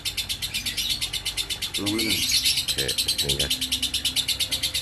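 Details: A lovebird's continuous 'ngekek konslet' chatter rings high and grating, beating roughly three times a second. A person's voice cuts in briefly in the middle over a low background hum.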